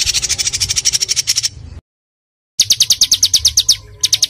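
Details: Small songbird in a training recording, full of 'tembakan' shots: a rapid harsh trill of high notes, a short silence, then sharper repeated notes in quick bursts.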